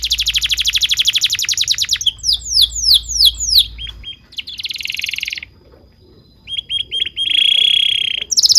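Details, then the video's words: Varied canary song for tutoring young canaries: a fast trill, then a run of downward-sweeping whistled notes, a brief buzzy burst, scattered chips, and a steady high whistled trill near the end. "PANCINGAN KENARI GACOR DURASI PANJANG UNTUK MASTERAN KENARI PAUD BELAJAR BUNYI DAN GACOR"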